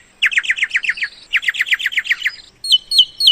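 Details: Myna sound used to lure birds into traps: two quick bursts of sharp, evenly spaced chattering notes, roughly eight per burst, followed by thin, high, level whistled notes with a quick upward flick.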